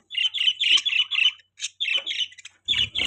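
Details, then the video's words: A run of quick, harsh chirps from pet budgies, repeated several times a second in clustered bursts with small gaps, ending in a louder squeaky flurry over a soft low rumble. "Budgies Chirping Sound"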